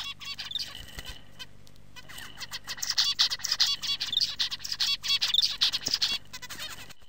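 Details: A male zebra finch (Taeniopygia guttata) sings a few soft introductory notes, then repeats a rapid phrase of buzzy, nasal and clicking syllables several times.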